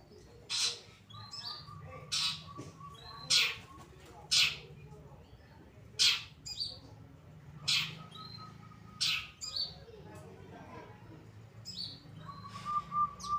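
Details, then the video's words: Caged long-tailed shrike of the Pastol variety, a master bird for training others, delivering sharp cracking notes roughly every second, mixed with short flat trills and thin whistles at a lower pitch. "Burung Cendet Pastol Gacor Dor‼️‼️"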